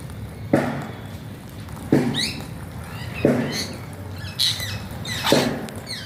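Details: Alexandrine parakeet giving funny talking sounds: brief squawky rising sweeps and bursts between regular dull knocks roughly every 1.3 seconds, over a low background hum.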